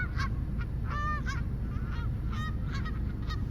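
Several geese honk in quick, overlapping bursts, nasal and harmonic, about every half second, over a steady low rumble.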